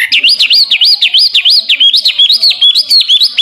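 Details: Hwamei (wambi) in lively song, used for training songbirds: a rapid run of loud, clear whistles, each swooping up and down, about four to five per second in an even, rolling series.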